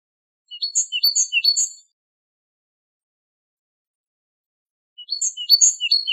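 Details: Great tit singing Wedani-style song meant for tutoring captive great tits and goldfinches: a short run of three repeated crisp high note-groups, silence, then the same pattern starting again.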